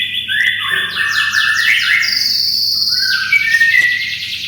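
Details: Canary giving vigorous song, used to tutor white-rumped shamas: loud descending series of fast trills stepping between middle and high pitches, then a long high rolling phrase.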